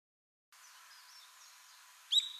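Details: At Ishigaki, Okinawa, after faint high whistles in the background, a Brown-eared Bulbul (Ryukyu or Ishigaki subspecies) gives one loud, shrill, squealing note near the end.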